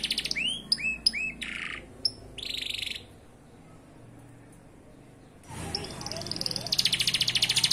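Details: Caged-type canary delivering dense rapid-fire song: clipped swooping chirps and a buzzy trill, a short pause, then a burst of fast pulsed high trilling against a rushing background noise.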